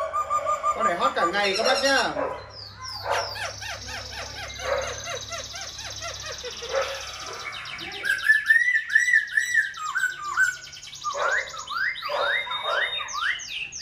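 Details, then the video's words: Caged Silver-eared laughingthrush, a tame cage bird that sings all day, wings and tail fanned in display: a loud, varied song of rich harmonic phrases, chattering runs and a series of rising whistled notes near the end. "Khướu bạc má vip múa cánh đuôi xòe, chim thuần sách lồng hót, hót cả ngày"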